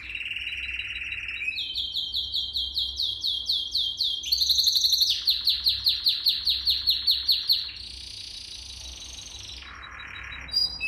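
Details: Canary song used for training young canaries: a fast, high rolling trill shifts pitch in steps, then pulsed chopped notes, a lower buzzy roll and a brief sharp chirp, with faint low hum beneath.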